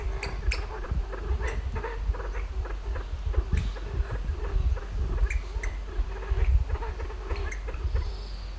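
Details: Low, repeated trilling pulses and crisp clicks from a Kalij pheasant ascending a tree to roost at dusk in a western Himalayan sanctuary; the sequence runs continuously, with a brief faint high whistle near the end.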